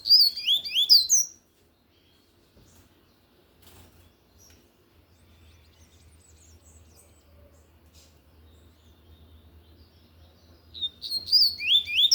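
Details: Tui tui song of a lined seedeater, sung loudly: a quick phrase of high, swooping whistles opens the recording, a long quiet stretch follows, and a similar fast phrase returns near the end.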